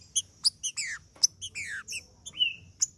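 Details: Green-winged saltator (trinca-ferro) song used to warm up a male: clear slurred whistles falling and rising, separated by short sharp notes and a long level whistle near the end, over a faint low hum.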